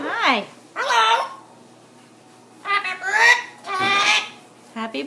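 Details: Pet parrot talking: a few separate voiced squawk-like words with rich harmonics, each under half a second, spaced by pauses, the last pair coming close together.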